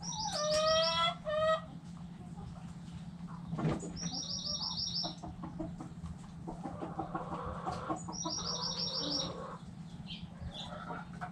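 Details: Backyard chickens: a drawn-out, harmonic-rich call sounds near the start, and wild songbirds repeat high whistled phrases in the background.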